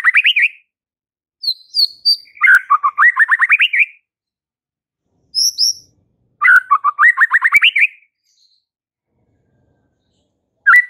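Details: White-rumped shama, a frequent singer used to provoke fighter males: repeated phrases of rapid stacked notes rising in pitch, each about one and a half seconds long, separated by brief high whistles and pauses.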